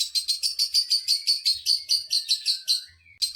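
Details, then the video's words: Lovebird in a cage giving a provoking song meant to rile rival lovebirds: fast rhythmic string of shrill chirps, about six a second, ending in a thin descending whistle before another chirp starts. "dijamin burung Lovebird lain emosi"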